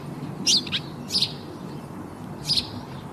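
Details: Sparrow chirping: three short, sharp, high chirps spread over about two seconds, with a low steady background hum between the notes.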